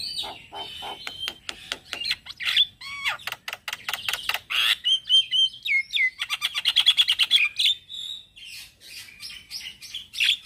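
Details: Morning song of a male black-winged starling, used to lure and tutor starlings: a long, varied stream of harsh rasps, clicks, rapid rattles and slurred whistles, mixing loud bursts with softer passages.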